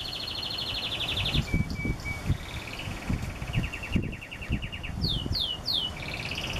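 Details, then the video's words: Canary giving a high buzzy trill, a few flat whistles and a lower fast roll, then several loud, steep falling whistles, over a steady bed of low rumbling noise. "Canario Cantador"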